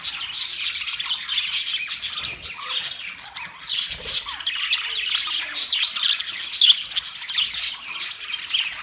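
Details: Caged budgerigars in a newly set-up cage, a flock chattering continuously with dense overlapping high chirps, squawks and warbles throughout, with brief louder peaks.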